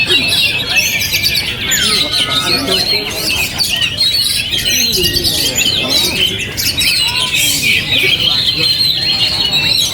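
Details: Oriental magpie-robin in captivity, singing though hit by strong wind. It delivers a rich run of fast warbling twitters and scattered whistled notes over a steady wind hiss.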